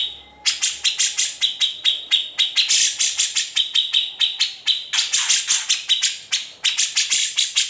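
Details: Cucak jenggot (grey-cheeked bulbul) singing an unedited master song for training magpie robins, green leafbirds and shrikes; after a faint whistle, long runs of rapid harsh chips over a sustained high tone, with brief gaps.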